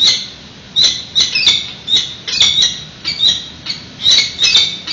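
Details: San Francisco nest of peregrine falcons, food delivery to an incubating bird whose egg has not hatched: sharp, raspy squawks in short irregular groups over a faint background hiss.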